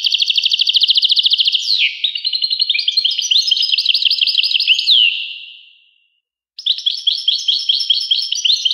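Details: A European goldfinch gives a rapid, even trill that breaks into a varied, bubbly twittering with slurred notes. It echoes out into silence, then the bright chatter starts again.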